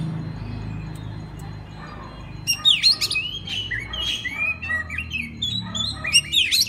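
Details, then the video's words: Master training recording of an Oriental magpie-robin: after a quiet start, loud varied song of whistles, sweeping slurs and sharp notes plays over a steady low rumble and hiss. "pagi siang malam kacer lain ikut gacor. isian master kacer. suara kacer"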